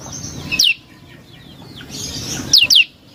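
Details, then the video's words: Prinia (prenjak lumut) calling as a lure: a single high downslurred whistle, a pause with soft hiss, then a quick pair of steeply falling whistles near the end. "Suara Burung Prenjak Lumut | Pancingan Prenjak Lumut Isian Sekali Denger Langsung Nyaut"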